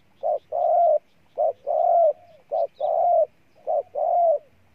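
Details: Spotted dove in Ninh Thuận, Vietnam, repeating a regular coo phrase four times: a brief clipped note followed by a long, full, slightly falling coo, each about a second apart.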